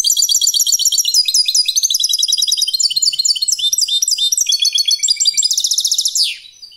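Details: Competition-style European goldfinch song: a continuous, loud, rapid stream of high tinkling twitters and repeated chirping notes, ending in a quick buzzy trill and fading.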